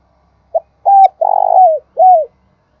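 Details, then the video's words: Decoy spotted dove used to lure wild doves, cooing in a short phrase: a brief soft note, then a long mellow coo, a throbbing drawn-out coo, and a final falling coo, all low and hollow in a quiet room. "chim cu mồi gáy hay dùng kích bổi rất hiệu quả"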